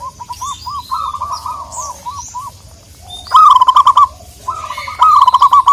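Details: Local zebra doves calling to a rival; brisk strings of short, hollow coos on a steady pitch, quiet at first, then two loud, fast rolling bursts with overlapping higher chirps from other birds.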